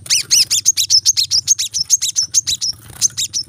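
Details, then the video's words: Brown-throated sunbird singing a dense 'tembakan rapat' sequence for cage-bird training: a steady string of shrill, rasping high notes, roughly six per second, over a low background hum. "kolibri kelapa | manggar | wiceh | masteran temabakan rapat"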